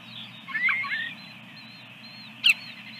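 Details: At a Dunrovin Ranch nest with eggs, 24 April 2022, an osprey gives a short cluster of high, slurred whistled chirps, then a faint thin whistle and one sharp knock against a low steady drone.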